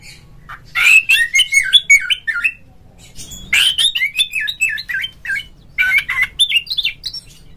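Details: Kacer, the oriental magpie-robin, singing to prompt others of its kind: three bursts of quick, varied whistles and rasping chatters, each lasting about two seconds, with a quiet low hum throughout.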